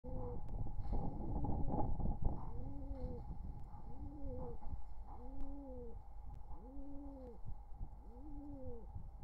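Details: Wild pigeon pair courting at a nest beside their nestlings, summer 2023: a steady run of deep, arched, hollow coos repeated about every second, over a constant electrical hum and some bumping noise.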